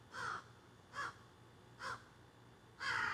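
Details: Squawking crows in trees behind a yard, captured on a cell phone: four rough, nasal caws at roughly one per second, the last one louder and harsher.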